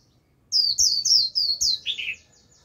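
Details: Decoy Japanese white-eye warbling to attract wild white-eyes: about six bright, high, even notes in quick succession, ending in a lower, softer squeaky phrase.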